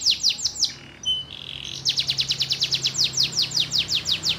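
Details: Canary song opening with a few falling sweeps, then a soft whistled interlude and a long even series of bright descending notes, roughly four a second.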